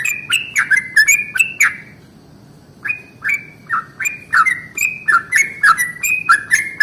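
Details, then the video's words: Morning song of a yellow-vented bulbul, a long roll meant to provoke other bulbuls into singing: a burst of quick, bright, down-slurred notes, a pause of about a second, then the rapid chattering phrases resume and run on. "SUARA trucukan ROPEL PANJANG pagi hari"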